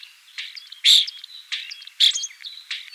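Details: Common starling singing short bursts of sharp clicks and squeaky high whistles, separated by brief gaps.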